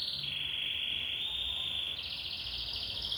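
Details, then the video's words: Canary holding one long steady rolling trill, then jumping to a slightly higher, faster pulsed trill for the last second, all at a constant loudness. "O IMPORTANTE É QUE O CANÁRIO CANTE. The important thing is that the canary sings."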